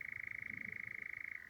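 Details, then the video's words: Nightjar churring at night on heathland, one of two birds calling, neither close; a steady continuous churr, slightly lower at the end, with faint low rumble beneath. "Nightjars you can hear off to the right, and there is another one to the left."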